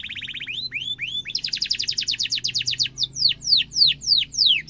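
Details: Canary singing a long rolling song meant for tutoring young and adult birds: a quick trill, then looping upswept notes, a dense rapid roll and slower falling whistles repeated about twice a second.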